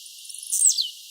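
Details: Blue-black grassquit singing freely outdoors: one quick, bright buzzy phrase that swells and then slides steeply down in pitch within a fraction of a second.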